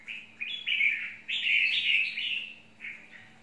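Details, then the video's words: Red-whiskered bulbul, chào mào mộc, singing one continuous chattering warble. It climbs in pitch toward the middle and then eases down into softer closing notes. A faint electrical hum is in the background. "Chào mào mộc"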